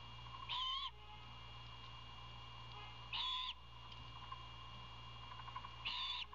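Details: Owlet asking for dinner while a parent delivers prey: three raspy, drawn-out screeches about half a second long, repeated roughly every two and a half seconds, over a constant low electrical hum.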